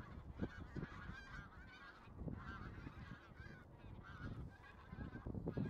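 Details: A flock of bean geese calling together, overlapping nasal honks with stacked harmonics, some loud close calls standing out over a steady murmur of distant birds, with low rumbling background noise.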